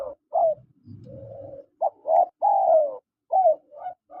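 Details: Calls of a male and a female spotted dove: mellow coos in short groups, one long descending note near the middle, and a brief low rumbling noise early on.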